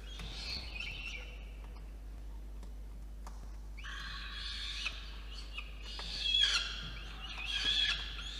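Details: Begging from a peregrine falcon chick at its water-tower nest box in Orange, New South Wales, as the adult male brings food at night, 5 November 2021; quiet start, then loud strained harmonic cries in the second half.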